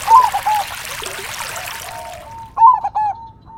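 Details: Crossbred zebra dove with a big voice, singing in the single-note vocal style over nature background sounds: two deep, rolling coo phrases with a quick stutter, set against trickling water and splashing.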